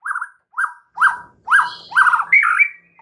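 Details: White-rumped shama song, played to make a silent bird start singing: buzzy, harsh notes repeated about twice a second, rising to a higher, drawn-out phrase at the end.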